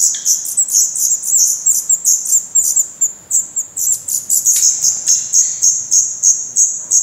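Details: Several black redstart chicks in a Portuguese nest, 16 May 2020, fed by parents on worms and spiders. Steady high-pitched squeaky begging notes, roughly three a second, overlapping into a continuous shrill chorus.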